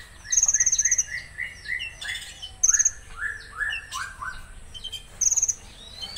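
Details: Konin singing rough 'tembakan kasar': quick runs of short rising buzzy notes in steps, broken by several high rattling trills and sliding whistles, with other birds calling nearby.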